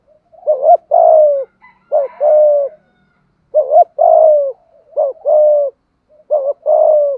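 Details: Thúc gù cooing from a Malaysian spotted dove. Double short notes lead into a longer, slightly falling low coo. Four such phrases are spaced about a second apart, with a faint higher twitter early on.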